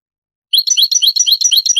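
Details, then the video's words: European goldfinch singing in the Granada (Andalusian) style, from an old Spanish cassette of the 1980s–90s later transferred to CD; after a short silence, a quick run of bright, high chirping notes repeated about three times a second. "CANTO DEL JILGUERO"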